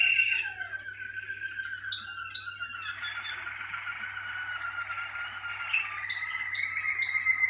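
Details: Malinois Waterslager canary on early song-cabinet sessions. Long rolling warbled tours are broken by sharp paired chips, ending with quick repeated chirps and a low steady hum.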